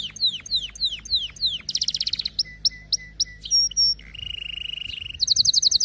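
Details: Canary song opening with repeated sharply falling whistled slurs, then fast buzzy trills, short clipped notes, a long low rolling trill and a final bright rapid burst.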